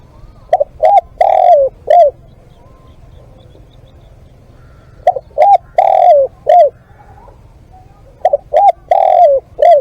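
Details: Spotted dove used as a live decoy, giving low hollow coos in a short-short-long-short phrase: two brief coos, a drawn-out rolling coo, then a falling final note. The phrase is repeated three times with pauses of about two seconds.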